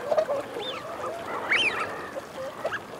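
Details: Male and female Eurasian wigeon heard close together: two clear arched whistled calls rise and fall in quick succession, with short low growling notes before and after.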